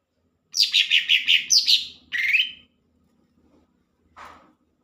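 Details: Cucak ijo, the lesser green leafbird, singing loudly: a run of rapid clear whistled notes, a rising buzzy phrase, then a short scratchy note after a pause.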